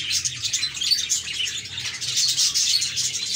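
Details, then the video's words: Happy captive budgerigars chatter as a group, with bright, squeaky chirps and fast warbled trills overlapping into a steady high-pitched stream of sound. "Budgies Chirping"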